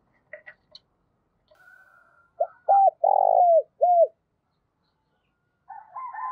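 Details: Spotted dove giving a fast 'thúc' coo used as a trapping lure: faint chirps and a thin whistle, then a loud phrase of hooked coos and a long rolled note, followed by soft twittering of other birds.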